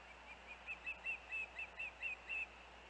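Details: Osprey at a nest with its young, siblings together, a day after strong winds; a fairly soft series of short whistled chirps near one pitch, about eight notes in under two seconds.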